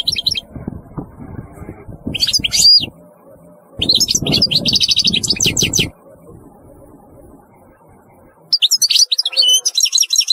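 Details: Bursts of rapid, chattering and tinkling goldfinch song, each one to two seconds long with pauses between, partly overlaid by low rumbling and thumping noise.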